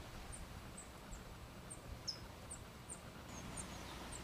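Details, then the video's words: Fledgling California towhee during its first hours out of the nest: faint, very high chips spaced roughly every third of a second, one louder note midway, against quiet rural background hiss. "California Towhee Hatchling"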